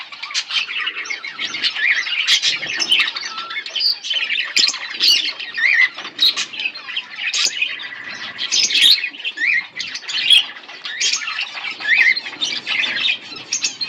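A pair of budgerigars chattering continuously, with rapid warbled chirps, squeaks and scratchy notes overlapping throughout, plus a few brief wing flutters.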